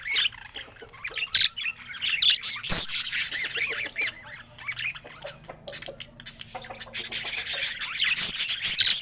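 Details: Pet budgerigar said to look happy today: bubbling warble of quick rising and falling chirps, growing into a dense buzzy chatter toward the end, with one sharp knock.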